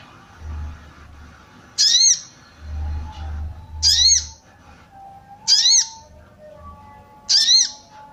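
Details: Female sooty-headed bulbul giving a 'cuit cuit' call to arouse males. Four harsh, buzzy, arched squawks, each about a third of a second, come roughly every two seconds over soft low thumps and faint hum.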